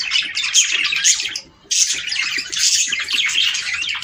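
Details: Budgies chattering to prompt breeding, bright rapid warbles and squeaks in a steady stream, broken by a brief pause at about one and a half seconds before resuming.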